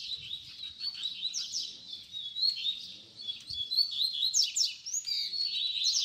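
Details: Double-collared seedeater giving a 'baderna' song meant for teaching young birds to sing: a continuous, busy stream of high twittering and sweeping notes with brief louder bursts. Faint low background noise.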